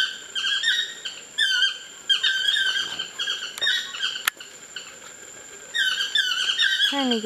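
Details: Wild Chestnut-mandibled toucans in trees on the Osa Peninsula, Costa Rica, calling to one another: strings of rapid, downward-sliding yelps in irregular bursts, two sharp clicks, and a falling squeal at the close.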